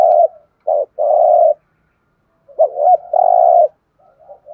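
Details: Spotted dove in thúc gù cooing: two short mellow hoots and a longer hum, a pause, then a wavering double note leading into a long steady coo and quiet trailing notes.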